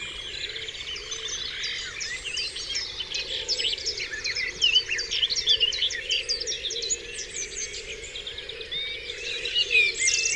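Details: On Dewlands Common at dawn, a crowded chorus of birds gives fast, high twittering and chirping that swells in the middle and again at the close.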